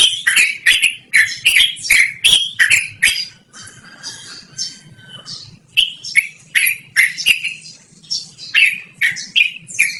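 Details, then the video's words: Loud, rolling song of a yellow-vented bulbul, offered for luring or tutoring birds; rapid harsh chattering notes give way to a quieter, blurred passage in the middle before the bright chatter returns. "BURUNG TRUCUKAN GACORR NGEROL DURASI PANJANG"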